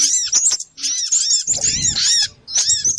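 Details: Little spiderhunter calls used as a bird-trapping lure: clusters of thin, high, arched squeaks in short bursts, a pause near the middle, with faint low rumbling underneath.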